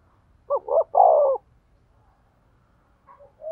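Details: Spotted dove cooing to prompt and stimulate a male decoy bird: a low, mellow three-part phrase of two short hoarse notes and a longer throaty coo, followed by a few faint soft notes in a quiet setting.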